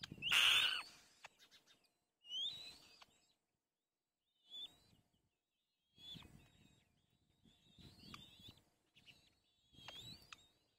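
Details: Hungry kite chicks compete for food in front of their mother, begging in high, thin, squeaky bursts roughly every two seconds, loudest at first, with soft rustling underneath.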